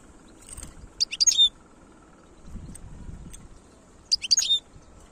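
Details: European goldfinch, khlouwi style song: two short, high, tinkling twitter phrases about three seconds apart, each a quick cluster of sharp notes, with low background rumble.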